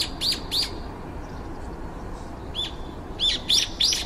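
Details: Garden flock of about five brown-eared bulbuls waiting their turn at food, recorded on a compact camera: two quick high chirps, a near-silent gap, then a renewed burst of three or four sharp arched notes.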